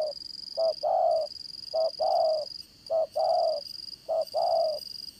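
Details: Decoy spotted dove for trapping, described as having a strong voice, giving four clear double coos, a short note then a longer wavering one, roughly every 1.2 seconds, with faint high background buzz.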